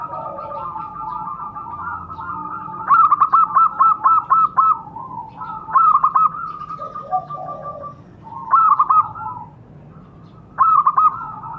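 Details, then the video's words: Local zebra dove cooing, played as a lure to make captive doves call: loud bursts of rapid, stuttering notes, one long run near three seconds then shorter bursts, over a steady background chorus of many softer cooing doves. "Pancingan suara perkutut"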